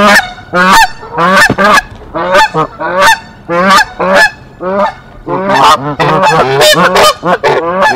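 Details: Canada geese at Decorah defend their nest against an intruding goose, April 2024: continuous, agitated honking, single blasts at first, then overlapping calls from several geese crowding together toward the end.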